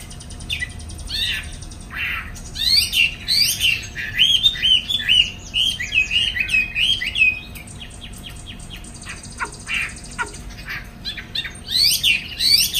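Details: Chinese hwamei kept in a cage in Hanoi, Vietnam, pouring out a long, varied song of fast whistled phrases, sweeping slurs and sharp chips, pausing briefly between bursts, over a constant low hum.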